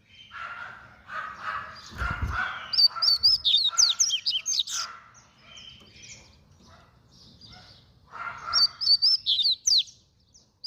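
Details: Fast-singing double-collared seedeater delivering two bursts of rapid, piercing whistled notes that slide up and down, mixed with lower buzzy chatter and a short thud near the start.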